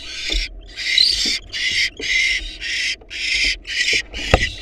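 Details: Wild barn owl chicks, four young in a monitored nest box, as their mother feeds them a large rabbit: harsh, hissing screeches in rapid bursts, about eight rasping outbursts in under five seconds, with faint thumps and low rumble underneath.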